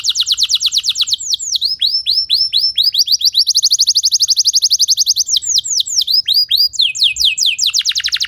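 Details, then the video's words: A canary sings in a training recording meant for other canaries: fast pulsed trills alternate with bursts of looping slurred whistles, and the phrases change every second or two. "Putar 10 Detik Saja Kenari Lain Bisa Ngeplong Anti Ngeriwik Gacor Nembak Panjang"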